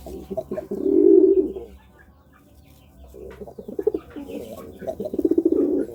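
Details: Courting pigeon giving a drawn-out low coo near the start, then after a pause a series of rougher, pulsing coos; faint background murmur throughout.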